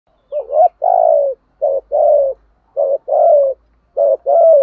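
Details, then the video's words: Spotted dove lure call in the thổ sấm voice style, used to stir decoys for trapping: three paired phrases, each a short rising note then a longer throaty vibrating coo sliding down, with clean quiet gaps between. "tieng chim cu gáy kích bổi nhanh nổi hiệu quả"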